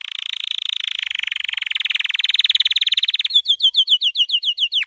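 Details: Singing white canary with training song: an extended rapid trill, slightly rising, then a quicker run of repeated falling whistled notes ending in a steep downward sweep.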